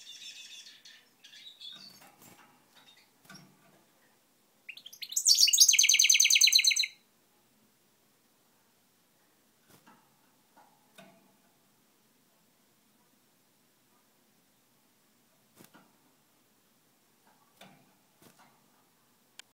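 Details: Goldfinch mule, a goldfinch × canary hybrid, singing: a short, bright burst of rapid twittering song between quiet clicks.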